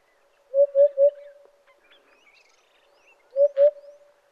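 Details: An African Hoopoe in Kruger Park, South Africa, gives its soft, low, hollow call: a quick three-note 'hoop-hoop-hoop', then a pair of notes, with faint chirps of other birds in the background.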